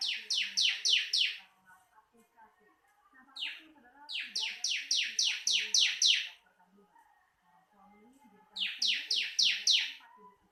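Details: Ciblek, the bar-winged prinia, in a training recording: three rapid bursts of five to seven steeply falling, high, piercing notes, separated by short gaps with faint background sounds.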